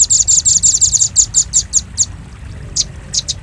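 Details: Velvet-fronted nuthatch lure sound: quick doubled high chips that space out and fade after two seconds, followed by a few isolated sharp notes.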